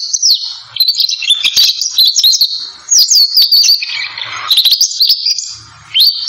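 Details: Belgian canary singing: loud, rapid high warbling with sliding whistles and fast trills, broken by short pauses, with faint low hum underneath.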